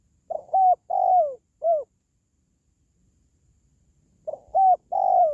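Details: Spotted dove call played to pet or wild doves: a full phrase of a soft lead note, a clipped coo, a long falling coo and a short closing coo, then a gap of about two seconds before it repeats.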